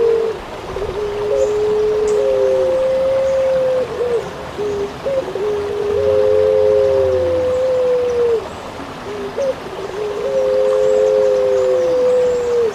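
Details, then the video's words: Eurasian collared dove, known locally as pelung puter, in a masteran recording for training songbirds: a short note leading into a long, steady, hollow drawn-out coo, repeated about every four seconds over a constant background hiss. "Burung pelung puter suara masteran"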